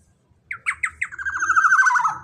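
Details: A black-naped oriole, large in body and loud in voice, calls with four quick nasal notes followed by a long raspy chattering run dropping slightly in pitch, with soft low rumbling behind.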